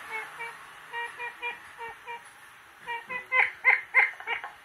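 Siamese fireback giving quick runs of short, nasal, clucking notes, about three per second, in bursts that grow louder toward the end.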